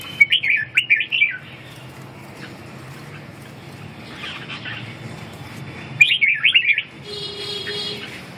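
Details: A red-whiskered bulbul gives two bright, warbling phrases of quick up-and-down liquid notes, each lasting about a second, with a softer phrase between them and quiet pauses in between.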